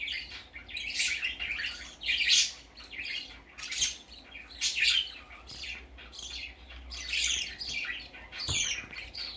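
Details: Baby parakeet out of its cage for the first time, giving bursts of high, scratchy chirps and squawks roughly every couple of seconds, some louder peaks among softer chatter, in a quiet indoor room.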